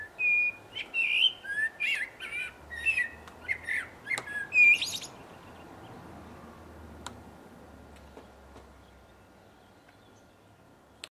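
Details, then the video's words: A blackbird sings a quick string of mellow warbled phrases ending in thin squeaky twitters over about five seconds, then stillness with a faint hum and two clicks. "Blackbird Sings"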